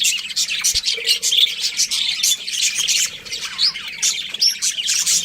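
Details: Pet budgies chattering nonstop: dense, high, scratchy chirps and warbled squeaks tumbling over one another, with occasional short whistled notes and a faint low hum in the background.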